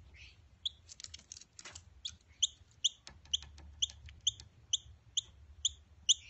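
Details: Noisy Miner chicks in care, practising self-feeding; a flurry of clicks and scratchy sounds at first, then crisp high chirps repeated roughly every half second with a low background rumble.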